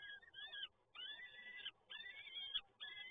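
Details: Three rasping, drawn-out wails from peregrine falcon nestlings begging at a feeding, PGE Toruń, Poland, 30 April 2022. Each lasts roughly half a second, with short silences between them.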